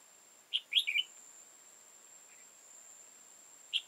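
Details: {'text': 'Trapping of a wild red-whiskered bulbul with tall crest and dark bib on 15 October 2018; one crisp warbled phrase of three or four notes, a soft note, then a single bright note starting another phrase.'}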